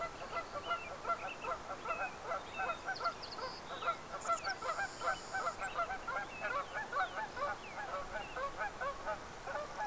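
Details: A large flock of sandhill cranes on a hike outside Yellowstone National Park calls all at once in a continuous chorus of rolling, trumpeting rattles, with a few thin high whistles briefly in the middle.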